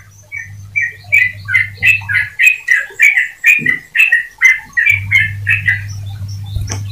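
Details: Canary kept to prompt other canaries into steady song: a run of about fifteen repeated buzzy chirped notes near mid pitch, roughly three per second, with a faint high whistle early and a low mains hum at start and end.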